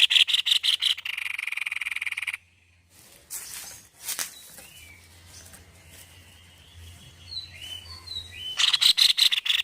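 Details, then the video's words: White-necked babbler, called tepus leher putih, in lively, very vocal song: bursts of rapid harsh buzzy pulses at the start and end, with scattered short thin whistled notes and quiet gaps in between. "GACOR PARAH BURUNG TEPUS LEHER PUTIH"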